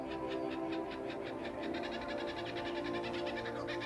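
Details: Laughing Kookaburra on Fraser Island, Australia, perched high in the trees, gives its insistent territorial call, a rapid cackle of repeated harsh chuckles that quickens mid-call, over a steady bed of background music.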